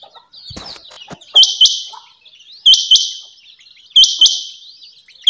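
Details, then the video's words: Female rain quail (chinga batair) calling: loud, clear whistled double notes, each pair sharp and high, repeated about every one and a third seconds, with faint clicks and rustles between. "Quail sound today"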